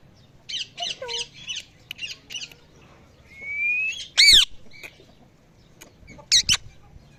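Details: Parrot at evening: a quick run of short buzzy chirps, then a long rising whistle ending in a loud harsh squawk, and more squawks after a pause.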